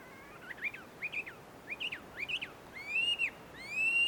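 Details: Chinese hwamei in the wild at a tree-ringed Tenmangu shrine in Joso, Ibaraki, Japan: four paired, forked whistled notes, followed by two long, rich, slowly rising whistles.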